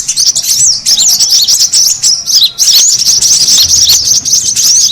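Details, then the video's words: Brown-throated sunbird chatter used as a bird lure: shrill, rapid chirps and squeaky trills run almost without pause, dipping briefly around the middle, then resuming at full intensity. "SUARA PIKAT KORLAP RIBUT"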